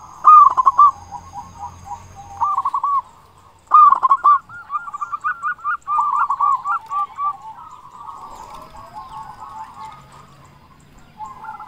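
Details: Local zebra dove with a loud, big voice, used as a lure to get quiet doves singing and to stir their arousal; bursts of rapid, rolling, bubbling coos, mid-pitched with short staccato notes, some phrases overlapping, pausing between runs.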